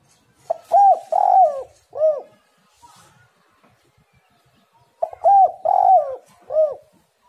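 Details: Spotted dove 'gacor' lure song, meant to make tekukur birds sing: two repeated phrases about four seconds apart, each soft introductory notes, a purring long coo and a separate short closing coo, low and mellow.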